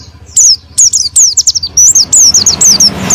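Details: Oriental white-eye in fiery 'gacor' song meant to provoke a silent white-eye into 'ngalas' singing. Bright, very high whistles sliding downward come in quick clusters, with short gaps and a soft low background hum.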